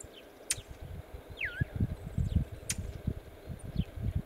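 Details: Brown thrasher in Northern Illinois calling in alarm: one downward-sliding whistle between two sharp clicks, with faint brief higher notes and steady low rumbling noise throughout.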